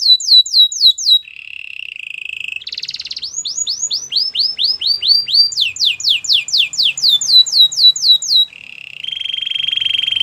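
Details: Champion canary song for training: quick descending whistles, a flat buzzy roll, then loud rising whistles followed by a long series of steep down-slurs at about four per second, and finally a sustained rapid buzzy trill.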